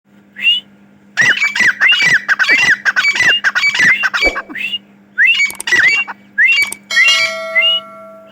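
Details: Grey francolin (Dakhni teetar) calling: loud, harsh series of rising, slurred notes, roughly two per second, coming in bursts with short pauses, dense and ringing, with a faint steady hum underneath.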